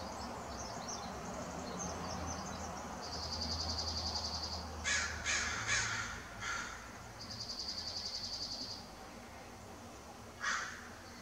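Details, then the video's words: Bald eagle calls: two runs of fast, high, twittering piping notes, mixed with louder, rougher squealing notes in between and a low rumbling hum beneath. "Bald eagle"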